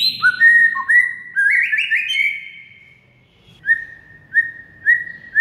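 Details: Training song of a white-rumped shama, meant to set mute shamas singing: rich rising whistled phrases, then a pause and four short upslurred whistles spaced about two-thirds of a second apart.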